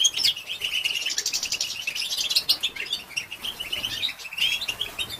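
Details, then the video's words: European goldfinch female giving batbata to excite males: steady, rapid high twittering, with tinkling chirps and buzzy trills repeated in quick pulses throughout. "بتبته لتهيج ذكور الحسون"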